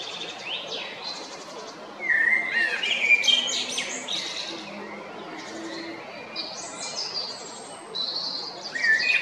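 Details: Male Eurasian blackbird in song at Jarun, Zagreb, Croatia, recorded 22 April 2021; loose series of mellow warbled phrases, each ending in thin squeaky twitters, a louder burst midway, faint low hum beneath.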